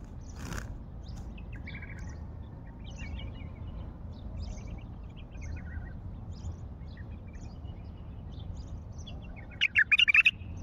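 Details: Wild bulbul from Baghdad: after a single knock and several seconds of faint, scattered bird chirps over a low hum, one brief, bright warbled phrase bursts out at the very end.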